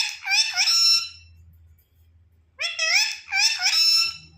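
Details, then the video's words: Pet parrot being offered grapes indoors gives two loud, harsh, rasping squawks separated by a quiet gap of over a second, with a low hum in the background. "parrot talking| parrot sound"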